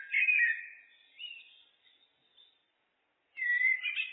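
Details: Common blackbird (Turdus merula) song, looped: short, warbling mellow phrases ending in higher twittery notes, separated by a brief pause.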